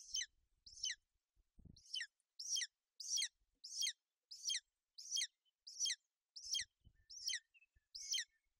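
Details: On a Bucovina nest on 28 May 2021, a female golden eagle shields her chick from bad weather; rapid series of high, sharp, downward chirps, with a brief low thump and some rustling.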